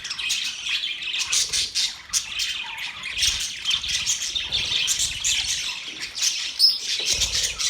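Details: Happy budgerigars chatter nonstop with high-pitched chirps and buzzy warbles, a sharp, thin squeak standing out near the end amid the continuous twittering.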